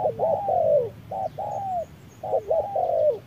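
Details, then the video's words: Midday duel between a decoy spotted dove and a wild bird: close, loud, hoarse cooing phrases with a stuttering start and a long falling ending, heard twice with a smoother coo between. "MỒI MÁY DẬP ĐẤU BỔI GIỮA TRƯA NẮNG GẮT BỔI HÁ CẢ MỎ"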